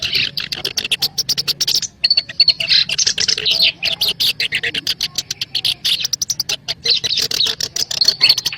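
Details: Black-browed reed warbler lure recording for trapping birds: a fast, unbroken stream of harsh, clicking, chattering notes, pausing briefly near the second second before resuming just as dense.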